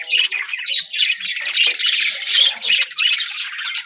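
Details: Budgerigars in a breeding colony with pairs ready to breed produce rapid, rasping chatter in pulsing waves of overlapping squawks and chirps, peaking about twice a second.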